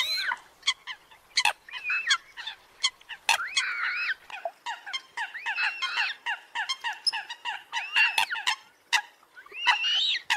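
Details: Competing call of Eurasian coot made as a trapping lure in northern Vietnam: dense bursts of nasal, harmonic yelping notes and warbled squeals, irregularly spaced, with brief sharp clicks.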